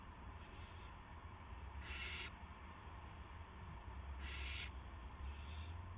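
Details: Owl delivering a gopher at 8:00 PM, March 18, 2016, heard on a live cam: rasping hiss-like screeches, two loud and two soft, irregularly spaced against low background hum.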